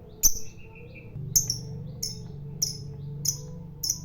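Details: Fighter lovebird giving sharp high chirps spaced irregularly over four seconds, with a low hum behind.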